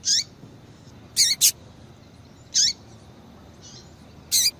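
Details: Female double-collared seedeater calling to excite a male: single high chirps dropping in pitch at the end, about one every second or so, with one quick doubled note.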